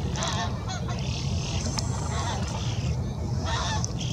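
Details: Eurasian spoonbill with its begging young behind it: the young bird gives harsh, wheezy, nasal begging calls in near-continuous bursts over about four seconds, against a steady low rumble of wind.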